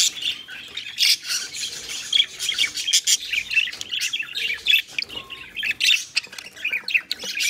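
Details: Captive pet budgerigars, copulating, keep up a chirpy scratchy warble with sharp clicks and squeaks, loud bursts alternating with quieter gaps about every second.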